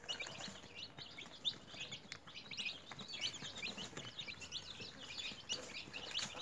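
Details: Newly hatched chicks raised at home in a cage, a group peeping together: dense, rapid high chirps overlapping continuously, each a short rising-falling peep, with a faint low background hum.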